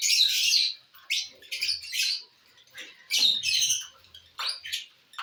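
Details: Lovebirds feeding on corn make shrill, scratchy chirps in rapid clusters, with loud bursts at the start and again around the middle.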